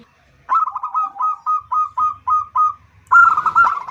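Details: Local female zebra dove calling its mate: eight evenly spaced, soft, slightly falling cooing notes, followed by a brisk rolling trill of quicker notes.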